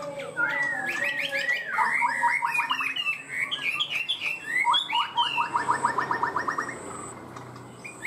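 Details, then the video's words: Chinese hwamei, a caged songbird, in 'cao cầu' song, quick and steady in beginning: twisting whistled phrases followed by rapid staccato notes repeated in fast runs. "Chim họa mi hót cao cầu, ra mỏ nhanh ổn định"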